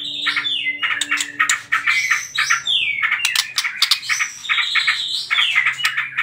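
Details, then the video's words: White-rumped shama singing a trotol lure song for provoking other birds to sing, mixing rising and falling whistled slurs with clicking chips in a dense, continuous stream. "PANCINGAN TROTOL MURAI BATU"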